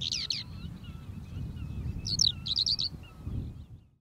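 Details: Eurasian skylark song at Uitkerkse Polder, Belgium, in April 2021, in short bursts of rapid, high, chirping and trilled notes, with a steady low rumble of wind underneath.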